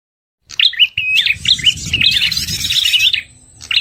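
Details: Prinia, described as the red-headed prenjak, in a lure recording used by bird trappers: sharp stepped whistled notes jumping up and down, mixed with buzzy rattles, starting after half a second of silence, with low rumble underneath.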